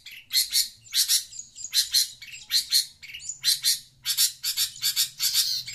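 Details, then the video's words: Long-tailed Shrike calling noisily while reacting to sound played from a phone: harsh, scratchy, high bursts in an uneven series of about twelve over six seconds, with a faint low hum beneath. "Burung pentet cerewet dengar suara hp"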